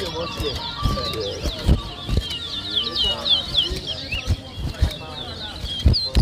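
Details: Towa towa birds at a whistling competition in New Amsterdam, Berbice, Guyana, 2023: rapid high whistled notes, slurred up and down, pour out continuously over people talking, thumps and handling noise.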